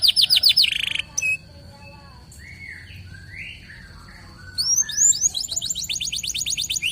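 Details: Local canary singing vigorously as a lure: brief high buzzy trill, a pause with a faint steady tone and a few lower warbled notes, then rapid repeated high whistled sweeps resuming.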